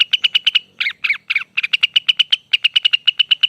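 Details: Lesser green leafbird giving a long song: rapid series of sharp, clipped notes around a steady pitch, about eight per second, broken by a few slurred descending phrases, clean with no other sounds.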